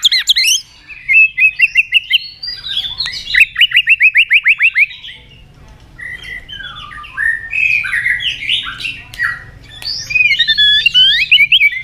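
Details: Lure recording of a white-rumped shama: a fast regular trill of ticking notes, then a varied stretch of buzzy warbles, squeaky twists and high fluting whistles.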